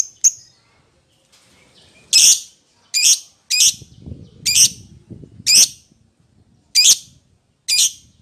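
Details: Lovebird calling a companion with harsh, high squawks repeated at uneven intervals of about a second, some faint low rustling between calls.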